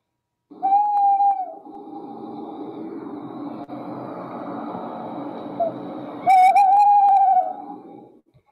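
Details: Male Tawny Owl hooting, the territorial call mostly given by males and common around October: a long steady hoo, a pause with a wavering murmur, then another drawn-out quavering hoo, played back through a speaker.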